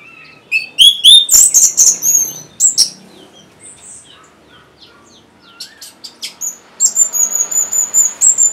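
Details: Orange-headed thrush (Geokichla citrina), used as a lure to prompt quiet birds to sing: a rich, varied run of high whistles, trills and sharp chirps, with a pause midway before a long thin whistle at the end.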